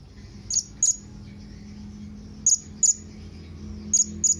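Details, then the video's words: Blue-crowned hanging parrot companion call: paired shrill high squeaks, each pair repeated about every one and a half seconds, over a steady low hum. "Suara SERINDIT MEMANGGIL KAWAN"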